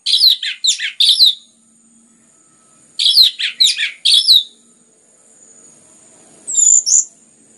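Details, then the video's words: Orange-headed thrush singing clear, dense phrases, used to make other birds sing: two rapid bursts of four or five sharp, downslurred whistles, then a short high twittering phrase after a pause. "PANCINGAN anis merah ngeplong gacor rapat cocok untuk MERANGSANG bunyi tambah GACOR"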